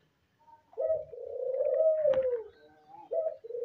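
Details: Albino dove in a breeding context giving a long, steady, low coo that slides gently down at its end, followed by shorter coos, with faint clicks and rustling indoors.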